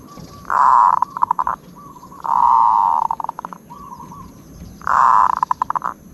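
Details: Zebra dove singing a well-regarded 'od' trill: three loud purring phrases, each tailing off in quick staccato clicks, with softer trilled notes filling the pauses.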